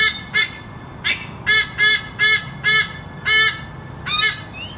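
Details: White-bellied sea eagle, Haliaeetus leucogaster, calling: a series of about eight loud, nasal, honking yelps, roughly two per second, over a steady low hum.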